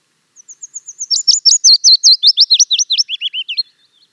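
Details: Willow Warbler singing: a few soft, thin high notes swell into a loud run of sweet, slurred notes that step steadily downward in pitch, ending in a lower flourish after about three seconds. The background is quiet and clean.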